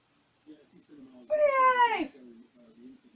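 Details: Caged pet African grey parrot babbling during its usual bedtime routine of settling down; soft low murmurs, then a loud harmonic squawk that slides downward for about three-quarters of a second, followed by more quiet murmuring.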